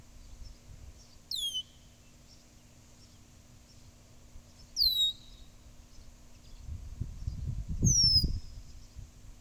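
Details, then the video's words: A blackbird gives three thin, high whistles that slide downward, spaced about three seconds apart, over a low background rumble and faint hum. "Blackbird Making Noises"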